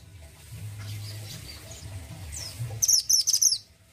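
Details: Singing orange-headed thrush, mountain type, from Indonesia, with a characterful voice: faint high slurred notes, then a tight run of rapid, piercing high chips packed together near the end over soft low rumble.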